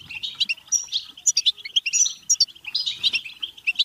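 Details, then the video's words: Rapid, dense twitter from a European goldfinch, meant to spur singing and mating: clipped chirps and ringing notes tumble together with hardly a pause, a few short whistled slurs rising above the chatter. "بتبتة حسون فعالة و رهيبة لتحفيز الحسون على التغريد و التزاوج و الهيجان"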